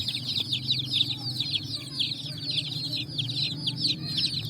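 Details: Colourful chicks running and jumping on sand in evening sun, peeping constantly: dense, high, rapid chirps overlapping without pause, with a steady low hum beneath.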